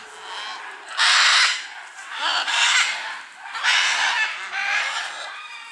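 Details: Scarlet macaws at a wildlife reserve in Punta Islita, Costa Rica, descending from a Guanacaste tree, give harsh, rasping screeches in four drawn-out bursts of half a second to a second, with faint hiss between.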